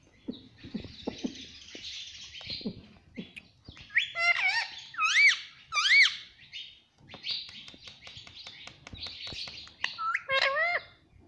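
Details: Pet parrot described as saying 'Mummy Papa', indoors: harsh chattering chirps and clicks, broken by loud, voice-like whistled notes that rise and fall, clustered around the middle and again near the end.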